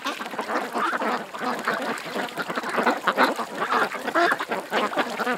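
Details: Ducks at a creek call together in a steady, rough, nasal quacking chorus, with several birds overlapping at once.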